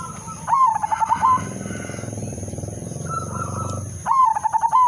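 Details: Zebra dove of the udanmas silver strain singing a melodious lure song aimed at making other doves sing: a stuttered cooing phrase, a low rumbling noise between, then another rolling phrase ending in a clear hoot, under a constant high whine.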